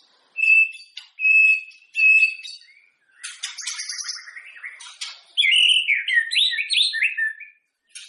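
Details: White-rumped shama song meant to set other shamas singing before a contest: three clear steady whistled notes, then a rattling harsh stretch and a fast rising-falling warbled flourish.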